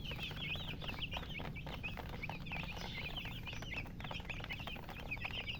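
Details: Young chicks chirping together: rapid, overlapping high peeps with little pause, over a constant low background hum.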